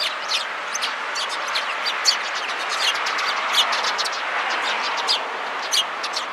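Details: Sparrows gathering around, recorded 16 February 2017, giving alarm calls: many short, sharp chirps in a dense, uneven stream over a steady background hiss, with occasional louder notes standing out.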